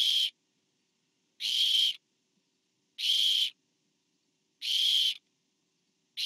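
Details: Barn owl, 24 September 2015, recorded by a nest camera while a parent brings food to owlet four; steady run of noisy, hissing shrieks, each around half a second, evenly repeated about every 1.5 seconds.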